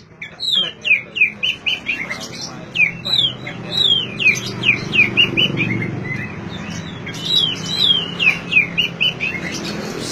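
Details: Oriental magpie-robin singing, a recording meant to get silent magpie-robins to start singing; rapid series of bright downward-sweeping whistles in bursts, with a broad low rumble in the background.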